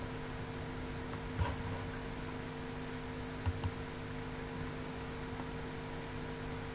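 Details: Steady electrical hum with a few soft ticks and rustles in a small room, and no animal voice.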